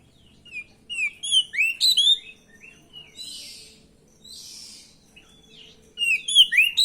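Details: Oriental magpie-robin (kacer) song used as a lure to provoke a reply, in a stressed fighting style: bursts of loud whistled and sweeping notes at the start and end, with softer buzzy rasping phrases in between.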